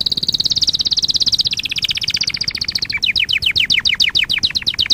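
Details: Canary singing on a training-lesson recording: a fast, bright, high trill for three seconds, then a run of quick downward-sweeping whistled notes, several per second.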